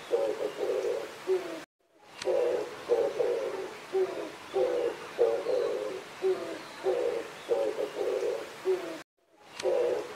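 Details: An Oriental turtle dove during mating gives low, husky coos in short repeated phrases, several notes a second with brief pauses between groups, over a faint background hiss.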